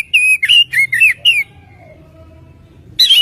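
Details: Oriental magpie-robin song for luring birds into singing: five quick whistled notes with wavering, dipping pitch, a faint low drawn-out tone, then a final sharp note.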